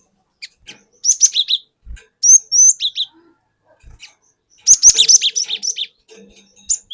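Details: Provoking lure song of a forest-caught cinereous tit in the long rolling 'wucit wuit ngerol' style. Quick strings of high, sharp whistles that rise and fall, delivered in bursts with short pauses and occasional soft knocks.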